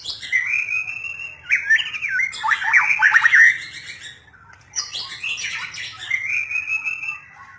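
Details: White-rumped shama delivering varied song, sustained warbled whistles interrupted by a dense flurry of sharp falling notes, then a pause and another buzzy, rising warbled phrase.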